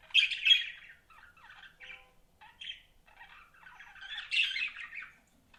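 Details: Pet budgerigars chirping: bursts of scratchy, warbled chatter centred high in pitch, loud at the start and again near the end, with softer twittering notes in between.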